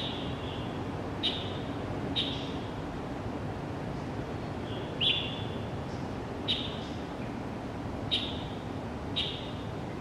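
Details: Pale thrush calling at dawn at Xingguo Elementary School, Zhongli District, on 6 January 2015, taken with a Canon PowerShot SX700 HS: thin, high, level tsee notes with sharp downstroke starts, repeated every second or two over steady low rumble.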